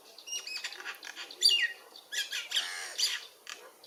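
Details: Myna giving harsh squawks mixed with short chirps: scratchy, noisy bursts in quick irregular succession, a few louder rasping notes standing out against quieter chatter.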